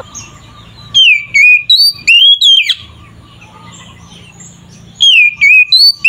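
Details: Oriental magpie-robin singing loudly in fighting style as a lure for other magpie-robins. Two clusters of rich, slurred whistles, one early and one near the end, separated by a quiet pause with a low background hum.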